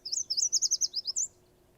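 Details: Yellow Warbler in Wisconsin in spring migration sings its "sweet, sweet, sweet, I'm so sweet" song: a quick run of about ten bright, high sweet notes over a second, ending in a slightly higher flourish; faint low hum.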